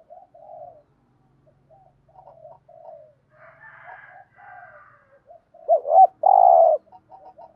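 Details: Caged decoy spotted dove giving the urging coo style used to lure wild doves: soft, low, mellow coos repeated in short phrases, then a loud, full, rolling coo near the end, followed by quieter coos.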